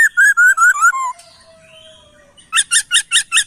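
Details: Laughingthrush master song for teaching songbirds: a run of six quick slurred whistles sliding lower, a long thin fading tone, then six rapid bright, rich notes in even rhythm.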